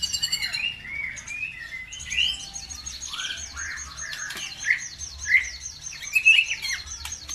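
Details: Bird song played as a bait recording to provoke other birds to sing: dense, continuous warbling of rapid rising and falling whistles with repeated high trilled phrases, over a faint low background hum.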